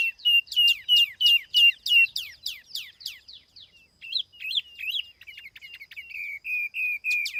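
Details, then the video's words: Decoy tiểu mi laughingthrush in clean, noise-free song: a run of about a dozen steady, evenly spaced sharp downslurred chirps, then a short wavering twitter and a series of flat whistled notes. "TIẾNG CHIM TIỂU MI MỒI KHÔNG TẠP ÂM CỰC CHUẨN"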